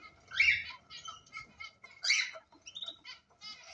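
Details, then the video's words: Pet cockatiels, kept as ornamental birds, giving harsh screeching calls with bright whistled notes in short bursts roughly once a second, with soft fluttering between calls. "طيور الزينة الكوكتيل كالوبسيت"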